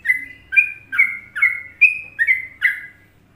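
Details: Sooty-headed bulbul, called trucuk in Indonesia, giving a short burst of Trucukan song: seven ringing, slurred whistles, each opening sharply then trailing off level, spaced about half a second apart in a quiet setting.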